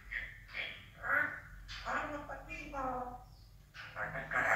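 An African grey parrot talks in short, speech-like phrases with a voice-like rise and fall, mixed with brief whistled notes; a woman's voice may be heard too.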